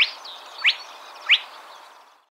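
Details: Spotted crake in Córdoba gives three sharp, whip-like rising notes, one about every two-thirds of a second, over a faint background hiss.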